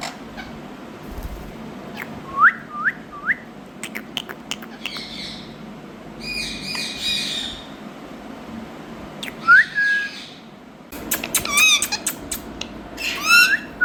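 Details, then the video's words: Parrot in India making three short upslurred whistles in a row, then scattered harsh squawks. Another rising whistle follows, then a dense, noisy burst of chattering calls near the end. "Talking Parrot"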